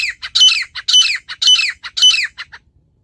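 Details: Female wild partridge giving its natural call: four loud grating notes with softer clicks between them, evenly spaced about half a second apart.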